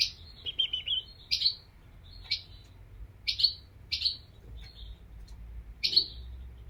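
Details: European goldfinch giving single sharp, bright chirps, each spaced about half a second to a second apart, plus a short buzzy twitter at the start. A soft low background rumble is heard.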